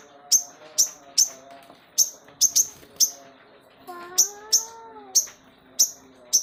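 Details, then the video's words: Crested jay, said to sing actively both day and night, repeating sharp high clicking chips about every half second, with a brief low, wavering tonal sound partway through. "sogon gacor siang malam"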